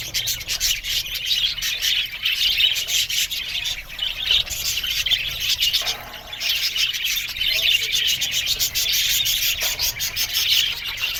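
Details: Many budgerigars kept in an aviary chatter continuously with shrill chirps and squawky warbles. A brief lull falls near the middle before the busy twittering resumes.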